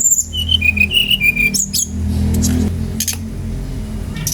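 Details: Brown-chested jungle flycatcher, its song used to set off other birds, gives a quick string of pure whistled notes alternating between two close pitches, followed by a few sharp clicks and a steady hum.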